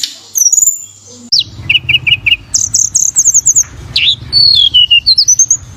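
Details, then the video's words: Flowerpecker singing persistently: very high thin notes, a triplet of short chips, a rapid run of buzzy ticks, then sharp downslurred whistles, over a low steady hum. "Suara Burung Tledekan Gacor"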